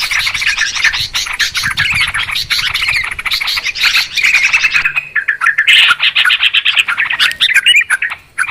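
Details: Noisy Yellow-vented Bulbul chorus used as a trapping lure: loud, continuous chattering and gurgling notes for about five seconds, then looser, more spaced bubbly phrases and a few clear whistles.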